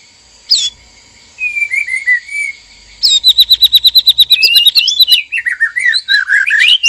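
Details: Male and female white-rumped shama in a breeding cage, calls meant to stir mating arousal: loud clear whistles and a fast run of sharp repeated clicks, then rich varied warbling phrases sliding up and down.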